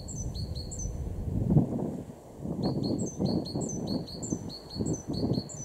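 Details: Great tit in a Weener garden, East Frisia, Germany, recorded March 2023: repeated piercing high paired notes in two runs, partly masked by loud, irregular low-pitched thuds and rumbling.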